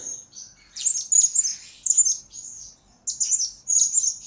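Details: Blue-crowned hanging parrot in song for luring and training other birds: a soft thin whistle, then rapid high twittering bursts, a pause near three seconds, and two more chirring phrases, otherwise quiet.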